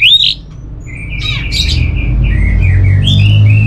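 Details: Orange-headed thrush from Singaraja, North Bali, kept as a songbird: one loud whistled note opens, followed by a quieter, steady string of short warbled and whistled phrases against a low hum.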